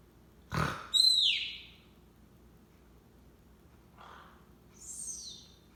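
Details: A very sleepy Monk parakeet (Quaker parrot) snores: a soft click, then a thin, high, falling squeak, a faint breathy puff, and another wheezy, descending squeak, over quiet room hum.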